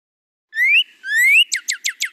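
A male Northern Cardinal sings two clear, upslurred whistles, then a quick run of five short, falling chips, all bright and high-pitched.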